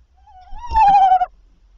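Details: Tawny owl at night on 7–8 April 2023, during prey deliveries by the male, who brought three prey items before 01:00; a single drawn-out, slightly wavering tonal wail lasting about a second, rich in overtones.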